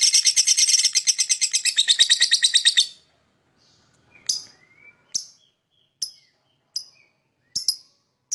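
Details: Lovebird chirping to lure other birds: about three seconds of fast, harsh chattering notes, then silence broken by a faint rising whistle and about six sharp, separate chirps spaced roughly a second apart.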